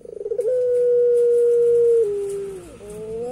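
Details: Puter pelung turtle dove laughing in a creepy way, opening with quick accelerating pulses that flow into a long steady hoot, stepping lower and sagging before a rising closing note.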